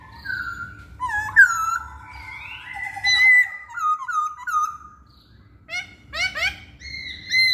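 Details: Masked laughingthrush song played as a lure for males that rarely sing: a varied string of clear whistles, slurs and short rising notes, with quick scratchy bursts near the end.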